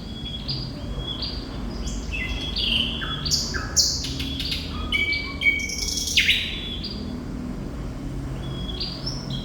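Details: Thrush nightingale, known locally as sikatan londo, singing energetically: varied whistled notes, sharp downward clicks and a loud rasping burst, phrases shifting pitch rapidly above a soft low background rumble.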